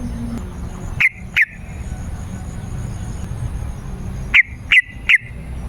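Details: . Yellow-vented bulbul lure song used to call wild birds in forest or garden. A pair of crisp notes, a pause of about three seconds, then a rapid run of three more, over quiet low rumble.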